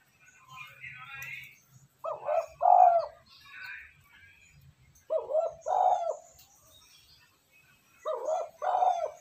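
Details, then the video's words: Spotted dove calling as a lure to stir wild doves and train decoys: three low, hoarse coo phrases, each of two or three pulses, spaced about three seconds apart, with scattered chirps from other birds in between. "Tiếng cu gáy kích bổi nhanh nổi"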